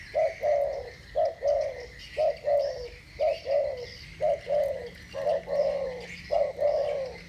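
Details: Two spotted doves of the thổ bầu voice style cooing against each other; low, hollow coos in short phrases of a brief note followed by a longer drawn coo, repeated about once a second, with steady insect-like hiss higher up.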